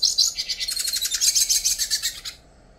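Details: Song phrase of the endangered yellow-faced siskin of northeastern Brazil. A bright high whistle opens into a fast, even, buzzy trill of about twenty pulses, then stops abruptly into quiet.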